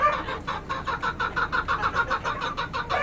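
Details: Chickens clucking in a steady run of short rhythmic notes, about five per second, with a harsher cackle in the middle.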